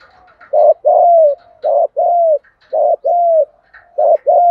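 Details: Male and female spotted doves cooing for luring wild doves and training decoy birds. Three short-then-long pairs of soft, hollow coos repeat about once a second, with faint high chirping in the background.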